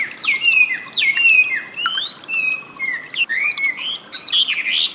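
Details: Wambi song for training cage birds: a varied string of sliding whistles, some level and drawn out, others swooping up or down, delivered in short phrases with brief pauses.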